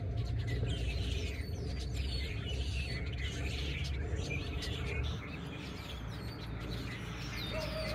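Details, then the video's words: Flock in a tree in Oviedo, Florida, possibly red-winged blackbirds, keeps up dense overlapping chatter of high chirps and squeaks over a steady low rumble. "Tree Filled with Chirping Birds, Possibly Red Winged Blackbirds!"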